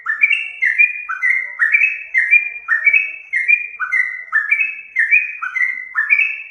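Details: Lure song of a yellow-vented bulbul for drawing other birds to sing, an unbroken stream of liquid whistled notes, each sliding downward, delivered about two per second in lively chattering sequence.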